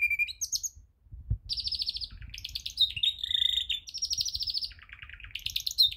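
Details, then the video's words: A canary being song-trained sings a fast, continuous run of bright trills and rolling chatter, shifting between high whistled notes and buzzy rolls, over a faint low rumble. "Canary Singing"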